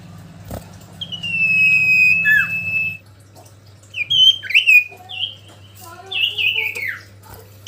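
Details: Common iora singing in full voice: a long, level, thin whistle, then short slurred notes and downward-bending whistled phrases with gaps between them, over a constant low hum.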